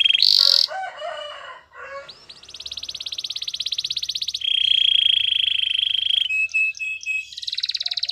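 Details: Canary song, used for training, made of fast buzzy trills, the first high and harsh, then long even rattling trills at two pitch levels, ending with quick rising notes.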